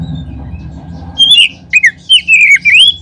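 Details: Oriental magpie-robin song played as a lure to make other magpie-robins sing. After a second of faint low hum, loud slurred whistles break in, sweeping up and down in quick linked phrases.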